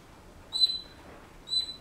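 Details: Pet Senegal parrot indoors, whistling bars of a song it is learning: two short, clear high whistled notes about a second apart, each with faint overtones, over quiet room hum.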